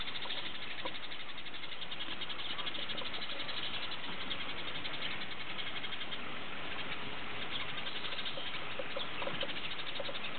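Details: House sparrows at Opole Zoo, Poland, chirp in a dense, continuous chatter of short, bright notes from many birds, over a steady low rumble of background noise.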